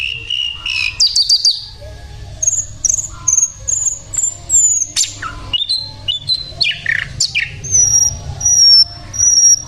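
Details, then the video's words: Lively singing from a sikatan londo flycatcher: sweet thin whistles held level, interspersed with sharp downward-sweeping notes and quick chips, phrases repeating irregularly over faint low noise. "sikatan Londo gacor"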